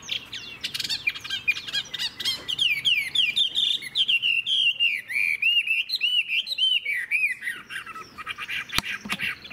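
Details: Old wild-caught Chinese hwamei delivering rich song: rapid, bubbling chains of arched whistled notes that rise and fall steadily across most of the clip, with one sharp click near the end.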